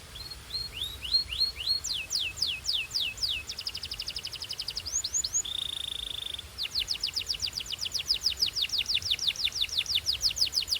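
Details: Belgian canary warming up in song: rapid series of high descending sweeps, a fast buzzy trill near the middle, then a steady pure whistled note held about a second before quick repeated sweeps resume.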